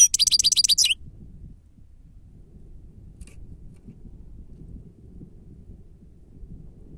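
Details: Grey-crowned goldfinch song recording used as a lure, labelled 'sava': a fast, high twittering run of about ten buzzy notes in under a second, then only faint low background hum.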